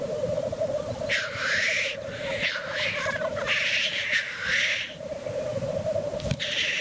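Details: Continuous low bubbling rookoo of black grouse at the lek, unbroken throughout, overlaid by four or five long, breathy hissing sneezes spaced about a second apart.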